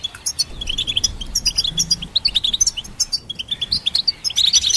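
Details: ['Goldfinch song, from hybrids used to train songbirds: high twittering chirps in an uneven stream, rising to a dense jumbled burst at the close.']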